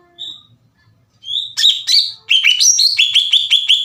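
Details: Greater green leafbird, known locally as cucak ijo, singing as a lure to rouse other leafbirds: a lone thin whistle, then loud clipped notes building into a fast series of bright, downslurred chirps, roughly three per second.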